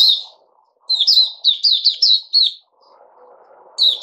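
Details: Captive bulbul of the kind kept as Puteh Raja, fed fruit juice and a mealworm, sings short bright chirpy phrases, a run of six quick warbled notes in the middle, with a faint low rustling murmur below near the end.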